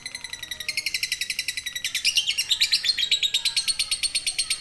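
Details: Lovebird in a long drawn-out ngekek, the trill used as a training model: rapid high buzzy notes repeated evenly without a break, growing louder and slightly rising in pitch halfway through.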